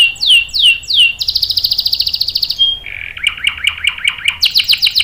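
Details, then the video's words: Singing canary used to coax other canaries into song: downward-swept whistles, a rapid buzzy trill, a brief pure note, then clipped repeated chirps and more sweeping whistles, varied and high. "PANCINGAN KENARI GACOR cuit cuit bikin NYAUT ikut BUNYI NGEROL PANJANG ¦ CANARY SINGING"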